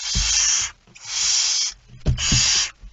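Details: Barn owl holding a mouse, night of 17 September 2019, 01:49: three long rasping hisses, the last following a pair of dull thumps, with soft low-pitched knocking between the breaths.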